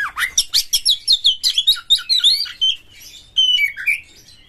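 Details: Oriental magpie-robin champion bird in energetic, excited song with spread tail, meant to stir other magpie-robins: a rapid run of about a dozen sharp downslurred chirps, then warbled liquid notes, a pause and a clear falling whistle phrase.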